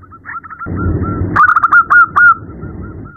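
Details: Female zebra dove at night calling a male: soft scattered coos, then a loud, rapid rolling phrase of staccato notes with sharp onsets and a few emphatic drawn-out coos, over low rumbling background.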